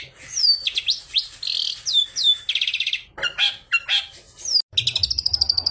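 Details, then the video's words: Long-tailed shrike song used to provoke other shrikes into singing, packed with imitated phrases such as sparrow fighting calls; fast high downslurred whistles, two buzzy rattles, then a brief break and a steady chattering trill. "CENDET ISIAN GANAS Pancingan Ampuh Burung Trotol Gacor"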